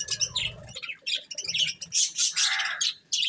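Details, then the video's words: Budgies eating corn give quick chirps and harsh squawky notes in rapid succession, with soft low crunching sounds during pauses. "Cute Budgies Enjoying Eating Corn | Love Birds Chirping Sounds"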